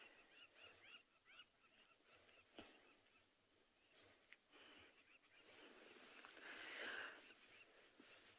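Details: Crowned lapwings nesting in open ground give a quick run of shrill, strident alarm notes as lionesses stalk nearby, at an afternoon safari in South Africa on 20 June 2020; wind and vehicle noise then take over.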